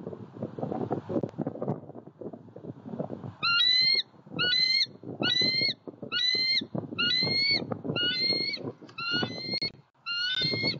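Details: Eagle visiting a pond in Southwest Florida on 23 February 2020, captured by an eagle cam: after a few seconds of rumbling noise, eight short, clear, ringing notes repeat steadily about once a second.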